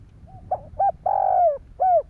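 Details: One complete cooing phrase from a Vietnamese decoy spotted dove meant to excite wild doves: soft lead-in notes, two short coos, a long sustained throaty coo, and a final downslurred note.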